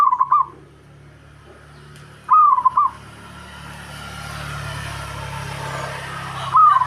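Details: Local zebra dove singing to rile a rival: three short, rolling, bubbling coo phrases spaced a few seconds apart over a steady hiss of background noise.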